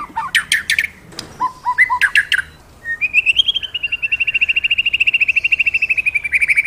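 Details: A magpie-robin in full song, used to rouse kept magpie-robins: quick swooping chirps and whistles, then a sustained, slightly wavering series of rapid repeated notes.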